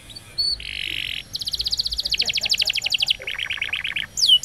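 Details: Canary song recorded for training young birds: a short whistle, a steady buzzy tone, then rapid rolling trills shifting between tours, a lower stuttering phrase and a final sharp downslur.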